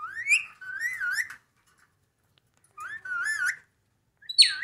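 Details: Ring-necked parakeet talking: two wavering, word-like phrases that rise and wobble, separated by a silent gap, then a loud, harsh squawk at the end.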